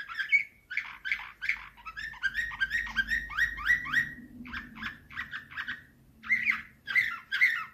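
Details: Canary in nightingale-style Slavujar song, 2024: a long chain of quick, slurred chirps delivered at a steady pace. A faint low hum runs underneath, and a few bright notes close the phrase.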